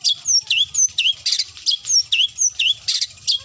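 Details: Long-tailed shrike calling a rival with a rapid, continuous mix of high whistled slurs and scratchy notes, several per second, possibly mimicking other birds.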